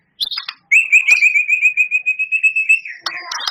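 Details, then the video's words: Champion White-rumped shama singing in rapid-fire style, its song filled with borrowed phrases. Two brief high chips open the clip, then a long fast buzzy trill runs at a steady pitch for about two seconds and ends in scratchy notes. "Suara Murai Batu Juara,Tembakan Murai Batu Gacor Full Isian Kasar Panjang Mewah"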